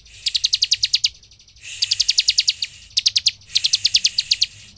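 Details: Lively bar-winged prinia song meant to provoke rival prinias into singing: three fast trilled series of bright, high, clipped notes, each about a second long, separated by short pauses.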